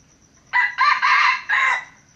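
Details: Crow of a red junglefowl rooster from Aceh kept as a lure bird: loud, raspy, in four clipped segments over about one and a half seconds, the final syllable slightly drawn out.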